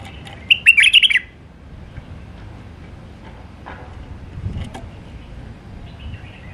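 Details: Wild Iraqi white-eared bulbul giving one burst of bubbling, whistled Alwazi-style song near the start, followed by several seconds of quiet background with faint distant ticks.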